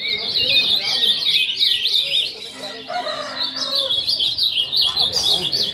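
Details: Caged ultramarine grosbeaks singing as a group: busy, high warbling and chirped notes tumbling over one another without pause, while a man talks in Portuguese in the background.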